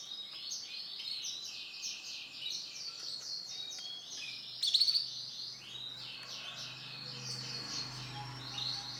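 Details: Orange-black male canary singing long runs of fast, high repeated trill phrases, briefly broken by a sharp louder burst midway, with a faint low hum beneath.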